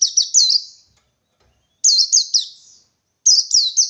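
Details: High, piercing whistled phrases from a wild white-eye singing the 123-beat 'ngalas' style while seeking a rival. Three bursts of quick, falling, slurred notes are separated by pauses of over a second.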